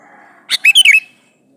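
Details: Sooty-headed bulbul male calling for a female: one brief phrase with a sharp clipped note followed by three quick, liquid, falling whistles.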